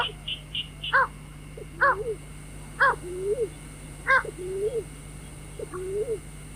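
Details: Night-trapping lure of White-breasted waterhen: harsh banded notes at intervals of about a second, each trailed by a low upslurred then falling moan, some high chirps early on, steady hum underneath.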